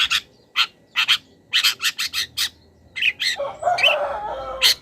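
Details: Long-tailed shrike song recorded as a training master, rich in imitated wild-bird calls: separated sharp high chirps, then a lower, rough croaking and chattering passage before a final high note.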